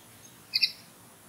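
A common linnet gives two quick, high twittering notes in close succession, clear over a quiet, faintly hissing background.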